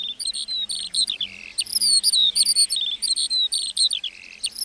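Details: Meadow lark song, high and unbroken, mixing sharp chirps, rapid rattling trills and short downward-sliding whistles in quick succession.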